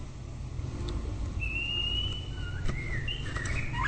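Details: White-rumped shama song: a long steady whistled note, then shorter whistles bending up and down, with a sharp click midway and constant low rumble behind.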